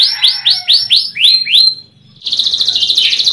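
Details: Young canary singing on a lure recording meant to spark its voice: six upward-sweeping whistled notes repeated about every quarter second, a brief pause, then a fast buzzy trilled rattle.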